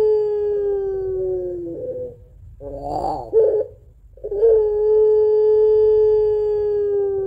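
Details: A puter pelung Barbary dove, kept as a lure for other doves at home, holds a long steady crying note, breaks into rough coos mid-way, then resumes a flat drawn-out tone.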